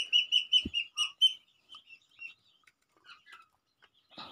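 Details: Crested myna kept as a pet and being tamed: a string of six clear, high downslurred chirps with a soft knock, then sparse, faint twittering notes and a rustle at the end.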